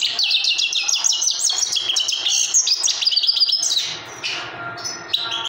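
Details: Trained young Himalayan goldfinch delivering a fast, tinkling twitter of high chirped notes for several seconds. The song then drops to a softer passage over a low hum and ends with a few bright notes.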